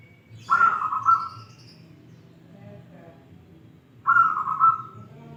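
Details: Crystal-voiced local wild-type zebra dove sings a clear, rapidly trilled coo phrase, falls silent for about three seconds, then repeats a similar rolling phrase, over faint low background noise.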